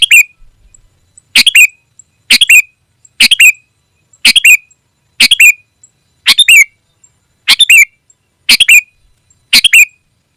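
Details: Sooty-headed bulbul calling to a rival: loud, sharp chirped phrases, each a quick burst of two or three notes ending in a short twang, repeated about once a second, with near silence between.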